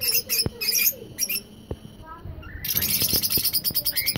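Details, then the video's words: Lutino, albino and yellow-green Fischer's lovebirds chatter in a dense burst of shrill, high squeaks and chirps, rapid and irregular, with short sharp notes overlapping through the second half. "Love Birds Lutino Albino and yellow green fishers parrot original Voice sound & Talking"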